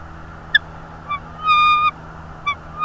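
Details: Bald eagle at a Northeast Florida nest, late afternoon of 24 January 2022: a sharp piercing note, a brief chirp, then a long level whistled squeal and two more short chirps, with a low hum underneath.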